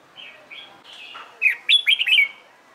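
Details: Red-whiskered bulbul trained for singing contests, soft whistled notes leading into a loud, quick, rising and falling warbled phrase.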